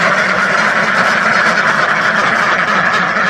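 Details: Short burst of a huge duck flock, thousands strong, quacking all at once in a seamless, buzzing mass of sound.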